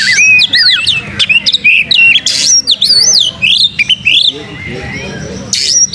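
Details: Oriental magpie-robin, tail fanned, pouring out lure song: bright looping whistled phrases, high thin trills, buzzy scratchy bursts and short pauses, ending on a sharp high note.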